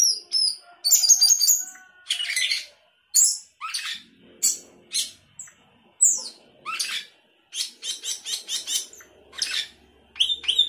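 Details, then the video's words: Sooty-headed bulbul singing busily with isian fill-ins, a string of separate sharp, high squeaky bursts and downward-slurred chips, in irregular runs with short pauses between phrases. "Cucak keling gacor isian"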